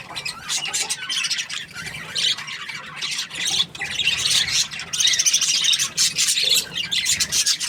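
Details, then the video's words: Budgerigar described as happy, chirping: dense, scratchy high chatter with quick squawks and twitters running almost without pause, growing louder in the second half. "Happy Budgie chirping sounds"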